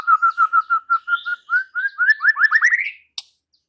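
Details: White-rumped shama answering with vigorous song and unloading its repertoire: a steady run of clear whistled notes that speeds up and climbs into a rising trill. A sharp click ends it.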